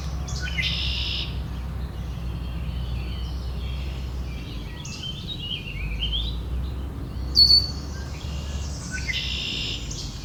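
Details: Red-winged blackbirds having an argument: harsh buzzy bursts at the start and again near the end, with scattered high chips and a sharp whistle in between, over steady low rumbling background noise.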